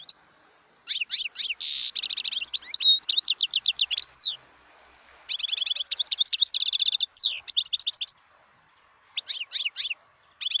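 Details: Wild European goldfinch singing: bright, tinkling twitter of rapid chirps and short trills, with a rasping buzzy burst near the start, in three bursts separated by brief pauses; no other sounds.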